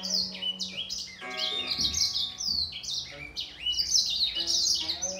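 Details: Grey singer finch in a singing contest with a green singer, both birds singing at once: dense, high, fast-changing twittered and trilled phrases overlapping, with a few steady lower whistled notes between bursts.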